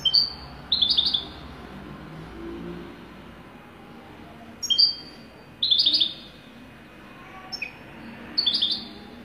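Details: European goldfinch singing in the Wydani style, with repeated brief, bright, liquid twitter bursts and clipped high notes spread over about nine seconds, and a soft background hum.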